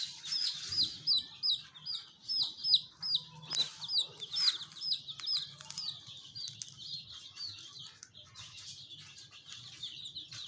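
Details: Colourful chicks calling with quick, high descending peeps, about two or three per second, loud at first then fading into softer overlapping cheeps and faint rustling.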